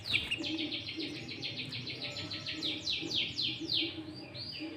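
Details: Sooty-headed bulbul singing hard with green leafbird fills, meant to attract and excite wild bulbuls for trapping. A dense stream of fast, descending chips, close to four per second, under steady background hiss.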